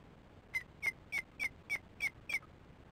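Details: Osprey alarm calling at the nest during chick feeding on a July 2015 evening; seven loud, sharp, downslurred whistled chirps repeated about every third of a second, over quiet background.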